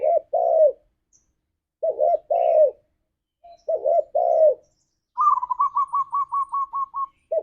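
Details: Lure song of spotted doves for stimulating pet birds in 'ngalas' style: three phrases of two mellow, hoarse coos at steady intervals, followed by a rapid run of about a dozen higher rolling notes.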